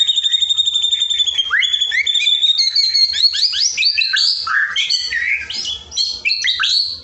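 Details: White-rumped shama song, used as training material for a caged shama that is reluctant to sing: a rich, varied run of clear whistles, sweeping rising and falling notes and quick chattering phrases, steady and continuous with no other sounds.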